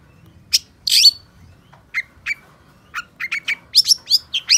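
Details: Long-tailed shrike, locally cendet or pentet, in vigorous gacor singing: scattered sharp chirps, then a dense burst, then a quickening run of short upslurred and downslurred notes toward the end, in a quiet background.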